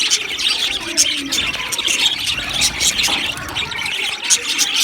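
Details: Aviary budgerigars chirp and squawk together, with sharp high tweets standing out above a steady buzz of colony chatter.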